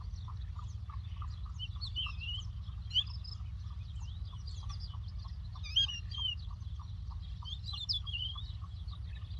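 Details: A lark's quick, high twittering phrases come in bursts, recorded in the Doukkala countryside of Morocco, over a steady low rumble of wind and a soft repeated ticking pulse.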